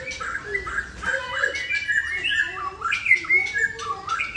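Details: White-rumped shama of the long-tailed Aceh type singing a long unbroken phrase in one breath: rich whistled notes around mid-high pitch, warbling and sliding, with buzzy chattering bursts mixed in throughout.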